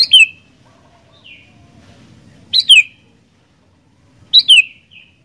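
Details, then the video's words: Sooty-headed bulbul in full lively song: three bursts of paired sharp descending whistles about every two seconds, each followed by a softer slurred note, with a faint low background hum. "Burung Kutilang Gacor Doooor"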